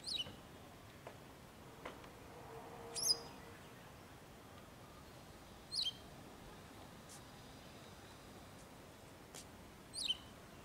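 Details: Wagtail gathering food for its chicks, with male and female communicating: four piercing high chirps sliding downward, irregularly spaced two to four seconds apart, plus scattered faint ticks.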